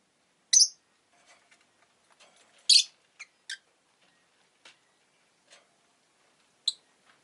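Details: Short, piercing, raspy chirps from a rosy-faced lovebird come roughly every two seconds, three of them loud, mixed with quieter ticks and clicks in otherwise quiet surroundings.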